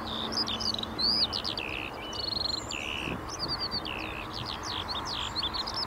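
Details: Skylarks pour out a varied song of sweeping whistles, short buzzy trills and sharp chirps, clear and bright above a light background hiss of distant traffic.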